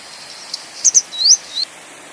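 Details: Call of a Grey Wagtail: two rapid piercing chips, a rising slurred whistle, then a single short lower note, with little else audible.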